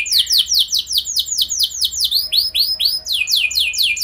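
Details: Canary lure song for prompting other canaries, made of rapid repeated descending whistled notes, several per second, with curling higher phrases midway.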